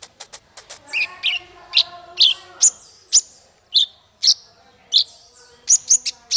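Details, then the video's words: Singing male konin (Ruby-cheeked Sunbird) serving as a song tutor: quick ticking notes, then evenly spaced, loud, squeaky high chirps about every half second, ending with a rapid trio of piercing notes. "Suara konin untuk masteran burung 100%jitu konin jantan"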